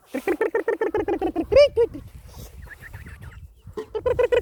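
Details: Chickens give a fast string of loud, even clucks, then one sharp high squawk. Softer, scattered clucks follow, and another rapid run begins at the end.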